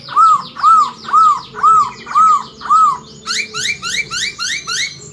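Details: Chinese hwamei in full song with murai imitations: six loud arched whistles evenly repeated about every half second, then a faster series of higher rising slurred notes.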